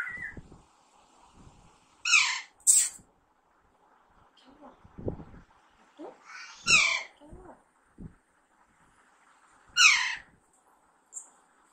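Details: Young Alexandrine parakeet kept at home as a pet: a few short, harsh screeches spaced several seconds apart over a quiet room, with brief human sounds in between.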